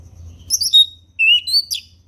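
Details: Wild orange-headed thrush in forest, relaxed ngeplong-style song. A cluster of high whistled notes, then a pause and a clear rising whistle followed by two sharper notes that slur downward. Faint low background hum.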